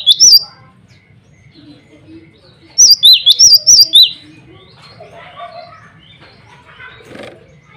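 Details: A male cinereous tit singing energetically to challenge rivals and summon a female gives a short high whistled phrase, then a longer run of quick rising-falling two-note whistles, followed by quieter background chirps.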